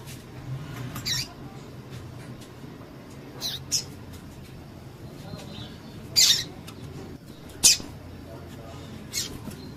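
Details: Female double-collared seedeater call for warming up a male to sing: about six short, sharp high chirps at irregular intervals, some faint, over a constant low hum.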